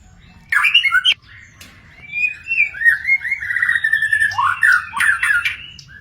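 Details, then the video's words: Wild magpie-robin singing: a loud harsh burst near one second, then a long varied run of sliding whistled and warbled phrases, some squawky notes and high sharp accents toward the end, over a low steady background hum. "burung murai di alam liar"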